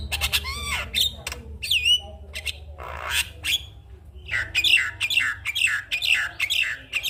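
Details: Morning Javan myna song used to stimulate other mynas that have stopped singing: loud grating squawks, a few rising and falling whistled notes, then a fast series of rasping chattering phrases, over a faint low hum.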